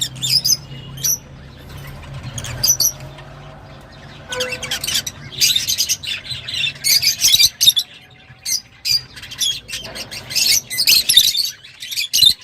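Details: Lovebird: a few high chirps at first, then rising into busy, shrill twittering and squeaky squawks in dense clusters, with a faint low hum.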